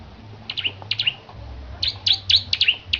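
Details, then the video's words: Bar-winged prinia, a songbird kept and prepared for singing competition, giving sharp high chirped notes in quick pairs and clusters with short pauses between, over low background hum. "Kicau Burung Petarukan Ciblek Gacor Persiapan Perlombaan"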